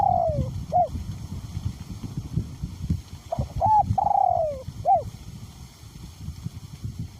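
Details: Spotted dove, a decoy bird with a small-to-middle voice, cooing in strong wind: two phrases of short clipped notes around a long, smoothly falling coo, over steady low wind rumble.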